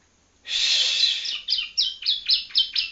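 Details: Young yellow-bellied prinia (ciblek kuning) from Palembang learning to sing: a long harsh buzzy burst, then a series of about seven short sharp chirps, quickly repeated and slightly rising and falling.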